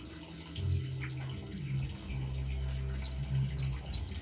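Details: Male orange-headed thrush song for luring and tutoring birds: sharp high whistled chirps in quick clusters, with short pauses between bursts and a low steady hum beneath.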